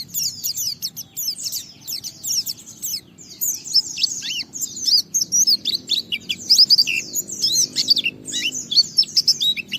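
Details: Singing white-eye in ngalas gacor form, played as a lure to get other white-eyes singing; continuous high-pitched warbling of quick zigzag notes, growing louder and denser toward the end, with soft low rumble underneath.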